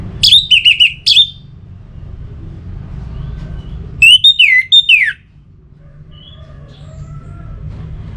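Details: Orange-headed thrush song intended to stimulate singing: a quick run of wavering high notes, a pause, then a burst of sweeping slurred whistles, followed by quiet with low background hum.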